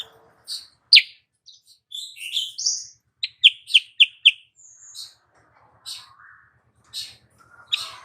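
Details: Female sooty-headed bulbul calling to lure males and stir their breeding urge: varied high chirps and slurred notes, with a quick cluster of four sharp chirps in the middle.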